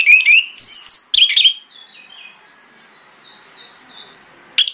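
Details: Morning lure song of an orange-headed thrush meant to make other thrushes reply: a burst of loud, quick whistled and chattering phrases, then faint distant whistled notes, with one more loud note at the end.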